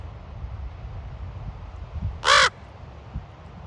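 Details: A raven at Ocean Beach in San Francisco gives a single loud, grating croak midway, with quiet low background surf and a few soft knocks.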